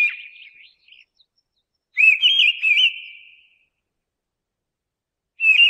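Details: A mistle thrush sings. The end of one phrase is followed by a full phrase of clear, wavering whistled notes, then a quiet pause of about two seconds before the next phrase begins.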